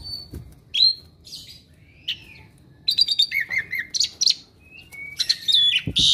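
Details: Varied output from an Asian pied starling kept at home and said to copy neighbouring birds: scattered whistles and slurs at first, then a rapid jumble of chirps, trills and squeaks, ending with a wing-like flutter.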